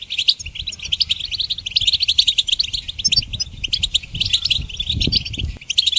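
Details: Energetic goldfinch twittering for training songbirds, rapid sequences of bright, bell-like chips and buzzy trills running continuously, with a soft low rumble in the background.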